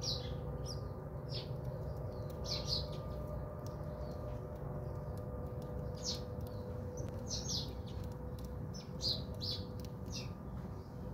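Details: At a home in South Africa, bathing house sparrows give clipped chirps in loose clusters roughly every second or two, against a steady low drone.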